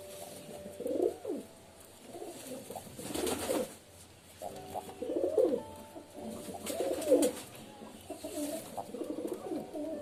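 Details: Several pigeons cooing, soft throaty bubbling coos repeated in bouts every second or two, with a brief flutter of wings and quiet indoor background.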